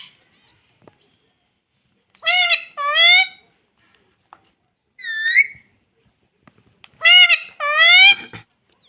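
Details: Pet talking parrot indoors repeating the word "mummy": three clear two-syllable utterances, high and harmonic with a falling-then-rising voice, spaced by short silences in a quiet room.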